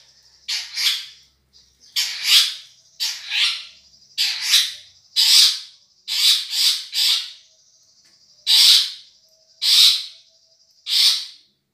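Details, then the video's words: Long-tailed shrike of the Madura type: loud, rasping squawks given singly or in pairs about once a second, with a faint thin high tone running behind them. "Masteran | Suara Juara Nih!!! Cendet Madura"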